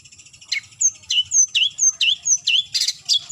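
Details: Long-tailed shrike calling a rival: rapid chattering of curved, high whistled notes, about two per second, thin and clear against quiet background.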